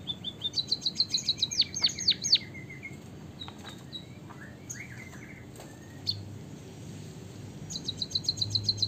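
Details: Long canary-style rolling song of a white-headed munia from Java, played to encourage other birds to sing: a quick burst of high chattering notes and falling whistles, a quieter stretch of scattered calls, then rapid high trills return.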